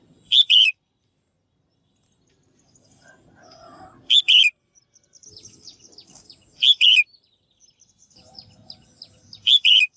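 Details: Female bird giving repeated double calls to stimulate males to sing: four loud buzzy chip-and-trill pairs every two to three seconds, with faint high twittering in the background.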